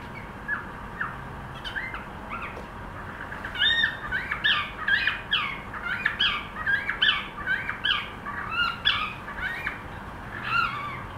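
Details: Cockatiel trying to sing, giving a long run of quick chirps and short whistled notes. They are varied, rising and falling, sometimes slurred, and packed densely in an unsteady stream for most of the recording.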